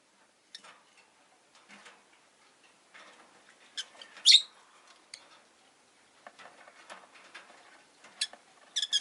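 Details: Rosy-faced lovebirds, five caged beside a window in winter, keep up low scratchy chatter and ticking notes, with one sharp chirp midway and a burst of brighter calls at the end.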